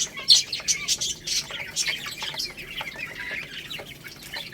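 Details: Chicks pecking at rice while chirping, with fast high peeps, many of them overlapping, and steady crisp tapping throughout.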